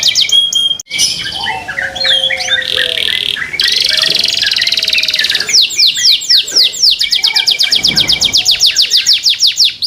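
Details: Pet canary in full song, said to prompt nearby canaries to sing along: varied chirps and buzzy rolls, then a long run of loud, quickly repeated downsweeping notes.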